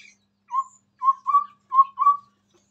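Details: Chestnut-rumped babbler in full song close to a phone, giving clear low hooting whistles, a single note followed by two quick rising pairs, with faint high squeaks above.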